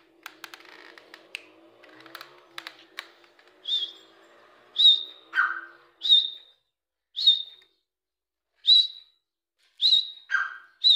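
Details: Grey francolin (Dakkni teetar) calling: a string of clear, sharp whistled notes, each a short high whistle, about one per second, with a few lower notes between them and faint clicks and knocks at the start.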